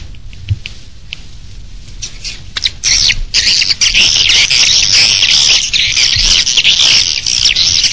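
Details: Swiftlet calls at a bird nest, an external sound: a few scattered clicks and chirps at first, then after about three seconds a loud, dense, continuous high twittering of rapid chirps that lasts to the end.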